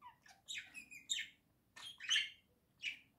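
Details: Pet budgerigar pair in a room, one inside a small birdhouse and its companion right next to it, giving dense rapid warbling chatter of sharp chirps and rasping trills in two quick bursts.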